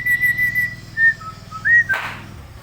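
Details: A hill myna imitating human whistling: a few drawn-out clear whistled notes, one lower and one rising, ending in a brief burst of breathy noise.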